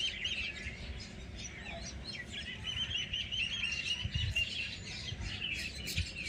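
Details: Birds chirping in a village: many overlapping high twittering notes and short rising chirps with a steady low rumble of background noise beneath.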